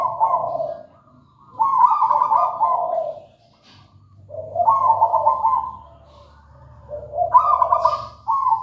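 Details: Wild local zebra dove singing repeatedly: three bubbling, trilled coo phrases about three seconds apart, each stepping from a higher trill down to a lower purr.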